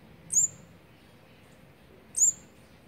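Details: Fourth brood of olive-backed sunbirds on their eighteenth day of feeding, 8 March 2020: a pair of piercing high chips, nearly two seconds apart, with quiet hiss between.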